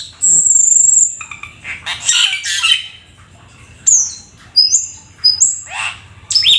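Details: Black-winged starling in lively full song, opening with a long, loud, piercing high whistle, then harsh raspy squawks and several clear upward-sliding whistles.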